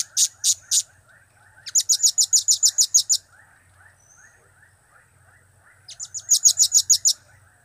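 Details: Loud, clear calls of a blue-crowned hanging parrot, from the cap-cap, kiak-kiak and crap-crap trio: three sharp high notes, then a rapid rattling string of about ten ticks, a pause, and another similar run.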